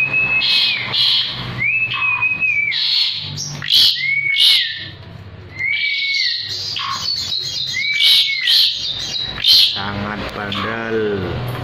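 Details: Asian pied starling held in the hand and singing vigorously: a series of arched whistled notes alternating with harsh, crackling bursts, ending in a nasal, chattering rattle.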